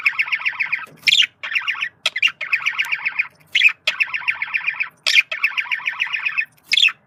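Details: Male budgerigar communicating with long runs of rapid, buzzy warbled chatter, broken every second or so by sharp rising squawks.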